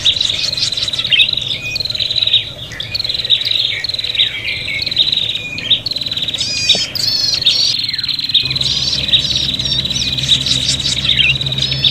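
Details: Long run of agitated prinia calling for luring, in a fighting mood: continuous high buzzy trills and sharp chips from overlapping birds, with a brief lull near the end before the calling resumes.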